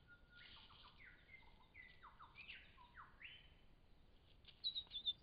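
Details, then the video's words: Lyrebird singing in Cape Liptrap Coastal Park: a varied run of whistled notes, several sliding downward in steps and one rising sweep, ending in a quick series of short high chirps, with soft background hiss. "Lyrebirds in Cape Liptrap Coastal Park"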